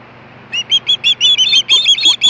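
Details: Osprey calling for fish at Hellgate, 2014, 4:19 PM; after a short quiet start, a quickening run of about ten thin, high whistles, each clipped and slightly rising.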